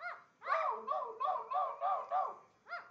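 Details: An Indian ringneck parakeet barks and talks, giving a steady string of six clipped, arched yips roughly every third of a second, then one more after a brief gap.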